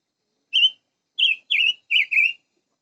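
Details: A chim ngũ sắc sings a series of clear, high whistled phrases: one short note, a pause, then four quick wavering slurred notes in two pairs. No other sounds.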